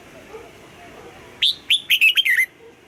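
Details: Red-whiskered bulbul, a caged bird being trained to sing, gives one short phrase of about six loud whistled notes, rising then slurred downward, each clipped and bright, over quiet background hum.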